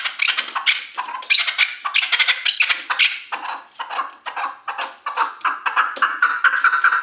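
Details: Chukar partridge from Kulob, a three-year-old hunting bird, delivering a continuous run of loud, harsh, rhythmic clucks with barely a pause between notes.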